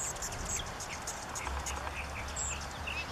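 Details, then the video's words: An Anna's hummingbird at Mexican sage, 11 October, gives thin, very high chips about every half second, faint over a steady low rumble and background hiss. "Anna's Hummingbird and Mexican Sage Sound Test"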